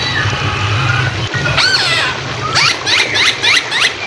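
Loud, rich whistled phrases from a Hwamei, sweeping up and down in quick repeated notes, over a steady low rumble of background noise.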